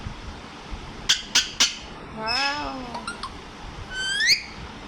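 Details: A pet parrot indoors calls while its owner talks to it and asks it to dance around breakfast time. It gives sharp clicks, then a drawn-out falling harmonic squawk, a few short taps, and a rising whistled squeal, with the owner's voice nearby.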